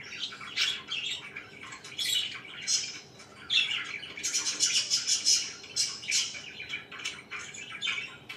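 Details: Pet budgerigars chirping in the morning, a dense run of bright, scratchy chirps and warbles overlapping in quick bursts, with short squawks between, several birds audible at once indoors.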